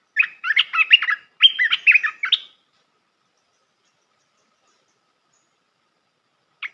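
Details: Olive-winged Bulbul pours out a quick run of bubbly, liquid whistled notes for about two seconds; one lone chirp follows after a long quiet pause.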